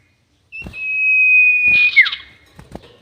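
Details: A long, steady, high sirtu whistle of over a second ends in a quick falling slur. Soft knocks follow. The recording serves as a lure sound for trapping birds.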